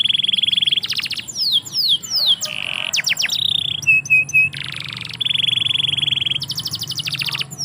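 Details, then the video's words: Canary in a yard sings buzzy sustained trills, descending whistled slurs, three short piping notes, and bursts of rapid clicking repetition in a varied, nonstop sequence. "KICAU BURUNG KENARI"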